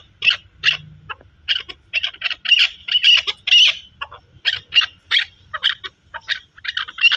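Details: Chukar partridge calling in a run of short, harsh chuck notes, loud and closely spaced, some doubled, with brief pauses between bursts and a faint low hum underneath.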